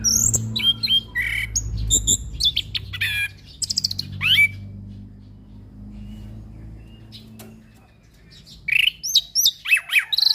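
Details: Tutor song from a settled orange-headed thrush: varied high whistles, chirps and downward-sweeping notes in lively bursts, a long quieter pause with low hum, then a fresh run of sharp rising notes.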